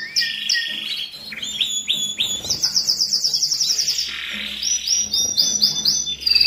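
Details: Canary singing to stimulate males and females for mating: varied chirps and swooping notes, a bright high fast trill, then repeated upswept whistles.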